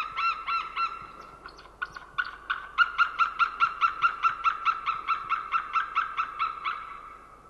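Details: Unringed wild white-tailed eagle at a winter feeding ground in Nova, Estonia, calling in flight on a January morning in 2013. A few loud, separated yelps open the clip, then about twenty evenly spaced, ringing notes follow, gradually fading.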